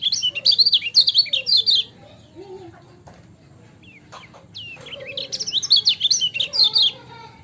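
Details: Lemon-bellied white-eye, yellow type, used as a master recording: bursts of high, rapid, twittering chirps in two strong phrases, with scattered softer calls between them.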